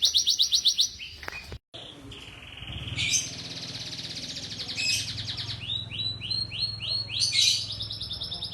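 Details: Young canaries' song for training: an opening rapid trill, a brief break, then sustained high buzzy trills and a run of rising looped whistles, with faint low background noise.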